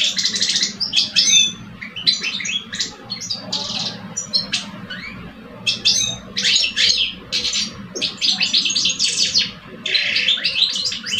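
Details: Contest between two caged male European goldfinches, an old bird and a two-year-old: loud, rapid bursts of ringing, jangling twitters and trills, phrases separated by short gaps, over a faint hum.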